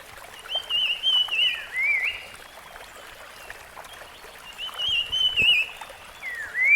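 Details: Wild Rusty-fronted barwing giving two separate warbling whistled phrases about four seconds apart, each wavering then dipping down at the end, over a quiet natural background.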